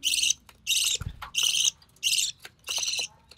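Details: Budgerigar chick of recessive pied colouring, from White Recessive Pied and Albino Red Eye parents, during feeding by its mother: five strong buzzy rasping calls in steady succession, each roughly a third of a second long.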